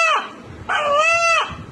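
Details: A local Bangladeshi rooster in Narayanganj, bought for meat, calls while being readied for slaughter, and locals claim it sounds like "Allah": a short, strained two-part call, a clipped note then a longer, harmonic-rich wavering cry.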